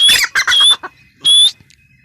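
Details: Female grey francolin producing a few loud, harsh, grating bursts with a piercing whistled edge, then falling quiet.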